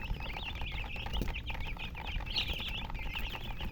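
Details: Chicken in a hen-coloured flock, giving a steady stream of high, thin chirps that rise and fall continuously, over a constant low rumble of background noise.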